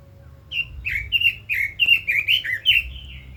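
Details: Red-billed leiothrix in lively song: about a dozen clear, swooping whistled notes delivered rapidly, each sliding down then up, steady and loud throughout, with a low hum beneath.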